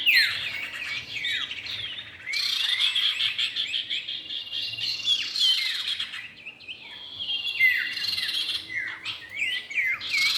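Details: Common iora pair, male and female, as a lure sound: irregular high chirps and downward-curving whistles, dense at first, fading to a quieter gap, then resuming.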